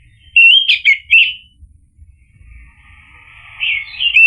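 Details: Orange-headed thrush song used to coax a silent bird into answering. Three loud, fluty, wavering whistles open, then quiet before a swelling, slurred phrase that ends with a strong rising note.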